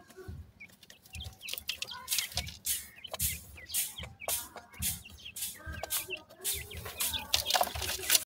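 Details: Grey francolin chicks feeding: busy high chirps and short upturned peeps amid repeated loud broadband scratching or pecking bursts roughly twice a second.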